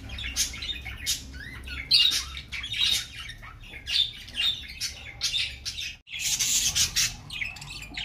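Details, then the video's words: Budgerigars kept as ornamental birds in a budgie reserve, 2021: a flock's dense, scratchy warbling and chirps in bursts of high squawky notes, with a brief break midway before the chatter resumes. "طيور البادجي"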